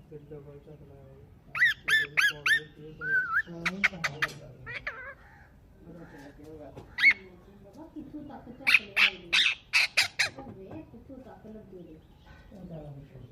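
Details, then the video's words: Ringneck parrots in blue and Kiwi forms producing natural talking sounds: bursts of rapid, harsh screeches in quick series, broken by warbled, speech-like chatter and a steady low murmur. "Ringneck parrot Natural talking sounds"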